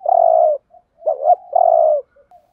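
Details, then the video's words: Decoy spotted dove for bird trapping, cooing in 'thúc gù' style with a 'giọng Thổ' voice: a long low even coo, a quick hoarse double note, then another drawn-out coo. "Tiếng chim cu gáy thúc gù giọng Thổ thúc gù"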